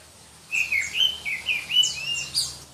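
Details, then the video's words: Kalimantan black-breasted Oriental magpie-robin, from Berau in East Kalimantan and prized by contest fanciers for its shrill, dense singing, pours out a continuous string of piercing whistles, rapid slurs and trills lasting about two seconds. "Kicau Kacer Kalimantan"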